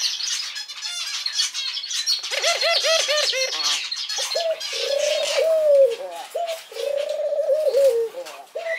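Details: A male Barbary dove (Streptopelia risoria), newly kept as a pet, gives soft, rolling coos in short bursts of arched notes, like a gentle chuckling laugh.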